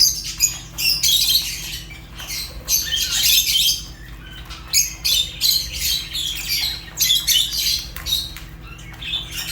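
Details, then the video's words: Fischer's lovebirds giving a busy run of shrill, high chirps and squawky notes in quick irregular bursts, several birds overlapping, with a faint steady low hum beneath. "African lovebirds chirps sounds | تغاريد فيشر"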